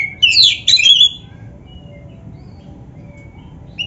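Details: Black-breasted oriental magpie-robin in a lively masteran song used to train caged birds, one short burst of shrill, tangled whistles and chatter, then near silence with a faint hiss.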